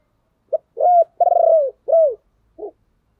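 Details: Spotted dove decoy cooing to lure others: a brief opening note, a rounded coo, a long quavering coo that falls at the end, a descending coo, then a soft short closing note.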